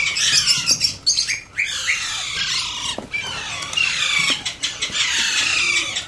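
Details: Hand-fed Alexandrine parakeet chick, with rapid harsh squawks and wavering high cries repeated in quick succession, with brief pauses and some clicks.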